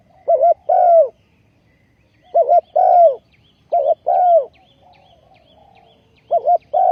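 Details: Caged spotted dove used as a ground decoy to lure wild doves, recorded 20.04.2020, giving four two-part cooing phrases: a short trembling note followed by a drawn-out falling coo, with a faint softer note between.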